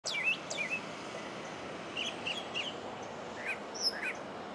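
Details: Brown thrasher singing at Bay Street Park, Osprey, Florida: a run of varied, clipped whistled phrases, several given twice in quick succession, over a steady rural background hiss.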